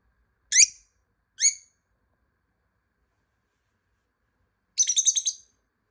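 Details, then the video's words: Hidden pet lovebird answering a call to find it: two single piercing chirps close together, a long silence, then a fast rattling run of about six high notes. "모란앵무새 소리"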